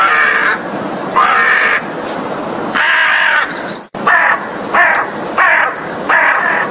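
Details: American crow giving a run of about seven harsh, hoarse caws, each roughly half a second long and separated by short pauses, with a brief break midway through; a steady background hiss runs underneath.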